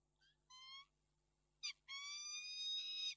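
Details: Peregrine falcon at Reda, Poland, recorded 11 March 2022, giving drawn-out harmonic wailing calls: a short faint note, then a steady wail, a sharp burst and a long level wail growing louder toward the end.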